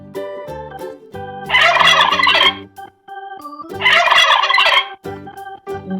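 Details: Gobbling turkey: two dense, warbling, rattled bursts about two seconds apart. Organ-like music plays underneath and fills the pauses.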